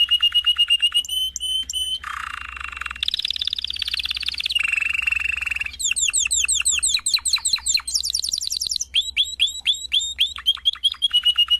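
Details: Canary (Serinus canaria), song.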